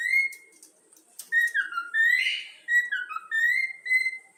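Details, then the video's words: Pet yellow-cheek cockatiel whistling the Flamengo anthem: long held whistles with rising slides and one raspy, breathy note in the middle, plus a faint click near the start. "Calopsitas | Bochecha amarela cantando o hino do flamengo"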